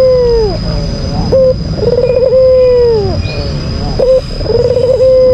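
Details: White albino Barbary dove, a kept bird, giving a lure call meant to provoke a rival: a short clipped note, then a rolling trilled coo that drawls into a long falling tone. The pattern repeats twice, with a steady high whine behind it.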